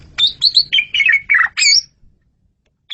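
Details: Asian pied starling (jalak suren) in lively song for a master recording: a fast, dense sequence of squeaky, chattering and whistled notes over a low background rumble.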